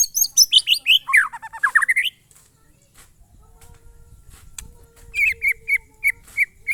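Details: White-rumped shama performing monotonous glondong song: rapid descending-then-rising run of bright notes, a quiet stretch with faint tones, then a steady row of repeated mid-high whistled notes, light low rumble behind.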